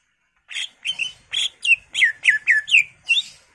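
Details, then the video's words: Greater green leafbird lure song with a full repertoire: nine loud whistled notes, each sliding sharply downward, delivered at a quick, slightly uneven pace. "PANCINGAN CUCAK IJO GACOR FULL ISIAN/ CUCAK IJO Gacor"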